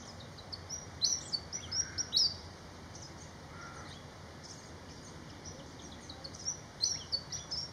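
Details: Malaysian pied fantail giving bursts of rapid, high, squeaky whistled notes at the start and again near the end. Softer, lower notes from another bird are heard in between over a constant hiss.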